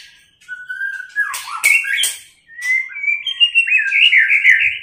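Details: White-rumped shama, female voice, tạch líu style played to stir males into fighting form. Long clear whistles glide upward, broken by sharp clicks, then a rippling warbled phrase rises and wavers.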